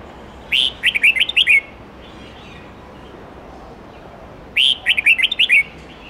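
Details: Red-whiskered bulbul singing many voices in the forest-standard 8-9-10 note style, played to teach young birds. Two matching phrases of about seven lively, rippling whistled notes arrive roughly four seconds apart.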